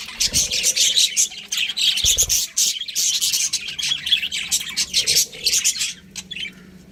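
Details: Pet budgerigars chirping: dense, continuous high twittering and chattering with buzzy squawks, overlapping notes from several birds packed throughout, a couple of low thumps near the start and around two seconds.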